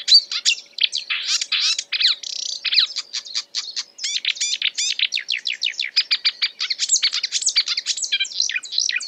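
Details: Marsh warbler; mimicking song; imitating other birds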